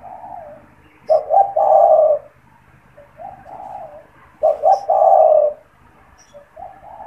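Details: Caged spotted dove, a frequent caller used for luring wild doves; repeated phrases of quick double notes and a long hoarse coo, with quieter coos between and faint chirps of other birds.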